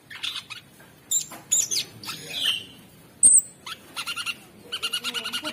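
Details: Sooty-headed bulbul song used as masteran training material for songbirds, with rough filler phrases. Bursts of harsh, chattering notes with buzzy, slurred phrases and short gaps between them. Several clusters of rapid stacked notes near the end.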